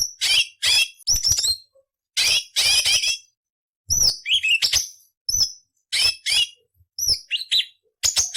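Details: Cucak cungkok song used as a training recording for magpie robins, green leafbirds and white-rumped shamas, with rough chattering variations: bursts of harsh, scratchy notes alternating with sharp whistled upslurs, separated by short silences.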